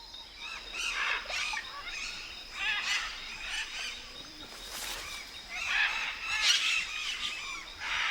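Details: Blue-and-yellow macaws in a flooded palm swamp forest by a large lake in the southeast Peruvian Amazon give loud, harsh, rasping squawks in short repeated bursts.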